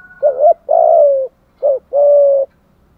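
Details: Spotted dove cooing as a lure call: two paired phrases, each a short wavering note followed by a long steady low hooted coo, with a clear gap between phrases.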